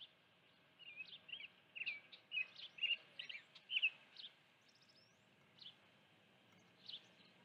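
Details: Osprey at its nest with a live fish on 16 June 2019 in mid-afternoon, giving a run of short, high whistled chirps about twice a second, fading into a few scattered notes, over a steady low hum.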